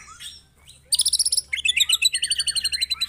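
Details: White-rumped shama song played as a lure to provoke other birds; a soft twitter, then loud rapid high chattering notes in quick succession, fairly harsh and repeated at about four per second.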